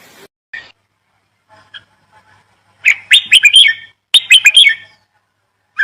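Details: A few faint, scattered chirps lead into two loud bursts of sharp, high bird twittering about a second apart, each a tight cluster of bright notes.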